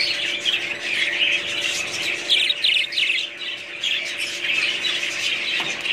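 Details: Budgerigars chattering together: a dense, continuous mix of high chirps, squeaky warbles and short squawks, with a steady low electrical hum underneath.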